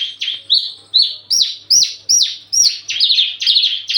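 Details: Javan bush lark in breeding condition, eager to mate, singing a run of loud high rising chirps, each note sweeping upward, repeated a little over twice a second, with a faint low hum beneath.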